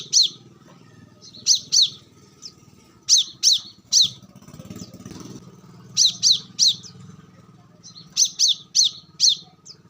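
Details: Wild brown-throated sunbird recorded in natural surroundings, used as a lure and as training audio for captive birds: sharp, high chirps in tight bursts of two to four, repeated every second or two, over a steady low engine-like rumble.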